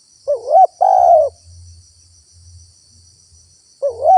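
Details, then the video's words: Spotted dove lure call: a wavy rising coo and a held mellow coo, then a low hum between phrases before the next rising coo begins, with a faint insect whine overhead. "SUARA TEKUKUR GACOR PALING AMPUH UNTUK PIKAT BURUNG LIAR"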